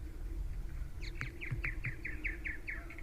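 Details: Common starlings nesting in starling nest boxes on Newcastle Island, Nanaimo, British Columbia, in late May give a quick run of about ten short, downslurred chirps, roughly five a second, over a steady low rumble of wind.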